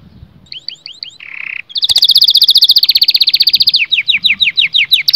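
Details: Canary singing a strong song meant to stimulate males and females to mate: curved chirps, a brief buzzy note, then a fast rapid-fire roll of bright high notes, ending in downward-slurred trilled phrases.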